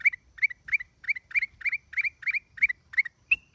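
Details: Black-crested bulbul, 29 December 2023, giving a rapid steady string of short chirped double notes, about three per second, ending in a single higher drawn-out whistle.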